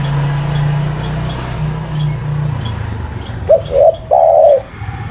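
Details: Over a low droning hum, a spotted dove's coo arrives near the end as two brief notes followed by a drawn-out, slightly wavering final note.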